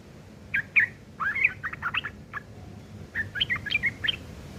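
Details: Rough ngeriwik chattering from a sooty-headed bulbul, meant for teaching caged long-tailed shrikes: scattered sharp, squeaky notes in short clusters, a brief pause near the middle, then a twisting run of chirps.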